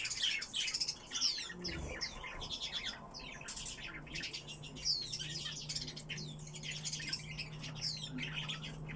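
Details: Kept Eurasian blackcap pours out a lively, varied song of fast twitters, downslurred whistles and scratchy chatter in bursts, with short pauses between phrases and a constant low hum beneath.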